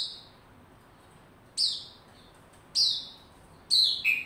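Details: White-rumped shama recorded 27 December 2021 while warming up into form: three short, high whistled phrases, each starting with a sharp upward flick and then sliding downward, separated by pauses of about a second.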